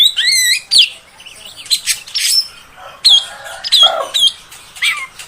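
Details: Female oriental magpie-robin voice used to provoke males: an opening looping whistle, then harsh noisy bursts, short downslurred whistles and a low nasal note, irregularly spaced.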